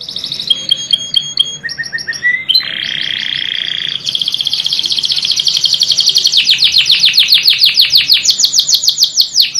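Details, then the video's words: Canary training song: varied phrases of high piping notes and a buzzy low trill, followed by long rapid rolling tours of repeated notes getting louder. "KANARYA SESİ EĞİTİM ÖTÜŞÜ CANARY VOICE!!!"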